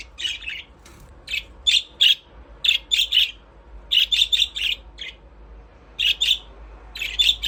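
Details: Playing budgerigars in an aviary chatter almost nonstop, harsh chirps tumbling out in fast groups of two to five notes with brief pauses.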